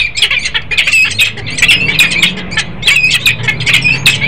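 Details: Harsh, scratchy peregrine falcon calls from a male and female pair in Harrisburg, Pennsylvania, on 10 December 2020, coming in bursts of rapid notes with short gaps between clusters, plus a faint low hum.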